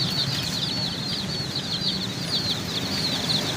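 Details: Many chicken chicks chirping together in a dense, steady chorus of high, shrill peeps that overlap without pause, with a low background rumble underneath.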